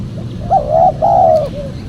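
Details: Spotted dove call used as a lure for wild doves. There is one phrase: a brief coo, then a drawn-out mellow coo ending in a faint, softer tail note, over a low rumble.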